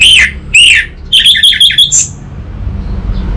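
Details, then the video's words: An orange-headed thrush (Geokichla citrina) gives loud, harsh high notes: two rasping phrases, then a quick run of five chattering notes and a final thin high note over faint background hum; used as a lure and tutor song for captive birds. "Pancingan dan Masteran Burung ANIS MERAH Bahan, SuPaya Nyaut Ngeplong dan Singset"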